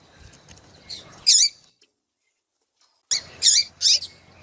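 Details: Female Double-collared Seedeater calling to stir a male. A single sharp high chirp is followed by more than a second of silence, then three quick shrill notes.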